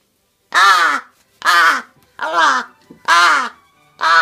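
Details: Crow calling to be fed, giving five loud, raspy caws in just over four seconds, each a coarse, nasal bark with a slight downward bend, separated by brief pauses.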